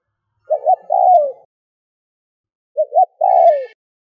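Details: Lure call of a decoy spotted dove meant to provoke wild doves quickly: two cooing phrases, each double short hoot then a longer falling coo, with faint high tones under the second.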